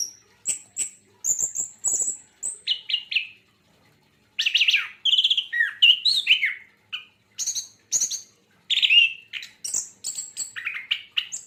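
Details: Javan white-eye singing short bursts of high thin whistles and rapid chattering phrases, broken by a brief silence, then fuller tumbling sequences of rising and falling notes.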